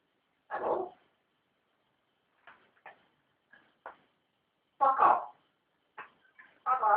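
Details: Newly acquired pet African grey parrot talking indoors: scattered speech-like syllables, some short clicks, and a few louder word-like bursts separated by pauses.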